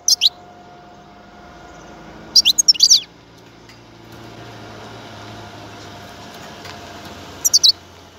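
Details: European goldfinch singing, described as soothing: short bursts of high, sharp twittering notes, a brief one at the start, a busier cluster near the middle and another near the end, with quiet gaps and faint background hum.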